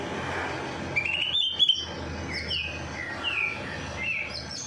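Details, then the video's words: Bird singing after its night bath, meant to trigger song in lazy birds: a few sharp chip notes and a rattle, then soft, repeated whistled slurs, fairly quiet against a low hum. "Perangsang Burung Malas Bunyi || Habis Mandi Malam Langsung Cor Dor"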